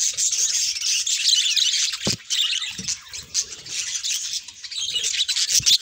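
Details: Bred budgerigars showing different colour mutations chatter in a high, overlapping warble. Occasional dull knocks or thumps from the cage cut through briefly.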